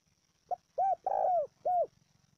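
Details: Spotted dove call used to stimulate and train decoy birds: a short clipped note, then three hollow arched coos, the middle one longest, in a single phrase with a faint low hum beneath.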